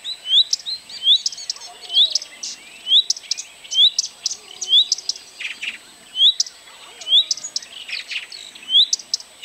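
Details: Blyth's reed warbler singing, recorded 12 June 2011 at Kępiny Małe in Pomerania, Poland: a slow, varied stream of sharp chirps and short upslurred whistles, each phrase repeated roughly once a second, with clicking notes between them.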